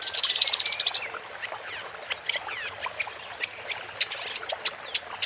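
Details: Song of a woodchat shrike (Lanius senator) opening with a fast, buzzy trill of about a second, then irregular sharp clicks and short scratchy notes.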